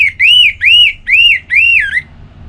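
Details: Orange-headed thrush giving four rich, arched whistles in a row, each rising then falling, about half a second apart. The last note trails lower. It is a relaxed song used to lure other birds into singing.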